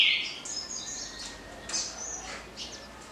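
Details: A green-winged saltator sings a smooth, emphatic 'Paraná' song type of loud, clear whistled phrases, bright and ringing, in short bursts over a soft background hiss.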